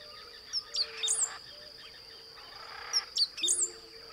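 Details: Great pampa-finch (Embernagra platensis) song in forested savanna of the Blue-throated Macaw Reserve, lower Beni, Bolivia: two short, high phrases of sharp chips and a thin buzzy trill, about two and a half seconds apart, over a steady insect hum.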